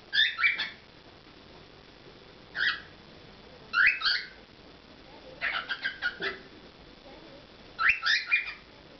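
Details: Cockatiel performing at home: groups of two to five clear whistled notes, some quickly stuttered, delivered in bursts spaced a second or more apart.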